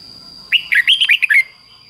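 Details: Red-whiskered bulbul giving a doubled 'bern' style song phrased fik-jik-fok, played for young birds to copy: seven quick, bright, warbled notes in about one second, rising and falling, with a steady high electronic tone throughout.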